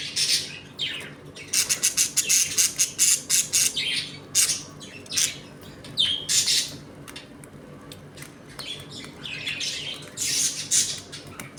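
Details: Home colony of budgerigars feeding, playing and squabbling; dense bright chatter of rapid clicks, scratchy squawks and warbled chirps, nearly continuous, over a low electrical hum.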